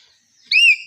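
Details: Common hill myna in a garden, a talking bird, giving one short, loud, clear whistle that swells and bends slightly upward. The note lasts about a quarter second after a faint high twitter.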